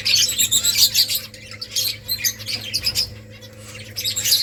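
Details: Several finches chirp continuously while feeding on rice: bright, high tweets in quick clustered bursts, briefly thinning mid-way before picking up again, over a faint steady low hum.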